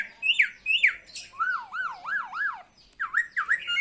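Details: Talking myna's greeting, heard as loud slurred whistles sliding down, then a rolling series of four wavy swooping notes, and a pair of falling whistles at the end.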